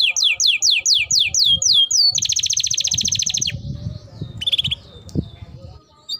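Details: Canary in full song, played to stimulate other canaries to sing: a series of loud descending whistled sweeps about four per second, then a rapid buzzy trill, followed by short chirps and a quieter ending.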